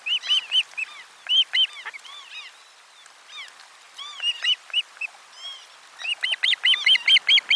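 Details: Ospreys at nest 4 during a lunch fish delivery, 12 July 2022. Loud, ringing arched whistles in rapid series, about two per second. There is a quieter stretch in the middle, then a fast, insistent run at the close.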